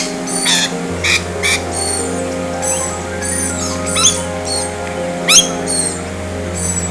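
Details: Parrots screech close by at Forest Lake in December 2021, giving a repeated call in harsh, grating bursts at irregular intervals, some rising sharply, over a steady low hum.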